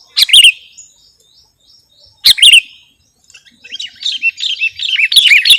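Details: Sooty-headed bulbul recording used as a lure and tutor track: two short, sharp chirp bursts about two seconds apart, then a quieter, building sequence of wavering whistled notes that grows louder toward the end.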